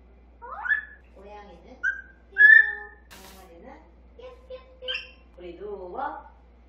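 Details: Baby grey parrot, eight months old, babbling and sometimes saying a few words: mixed whistles, speech-like murmurs and a brief harsh burst, fairly quiet and irregular in a quiet room.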